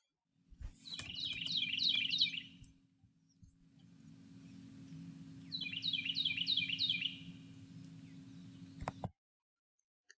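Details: Carolina wren, South Carolina's state bird, whose song is heard in yards and in the morning. Two bouts of four to five quick rolling repeated phrases, separated by a pause, over a constant high hiss and low hum.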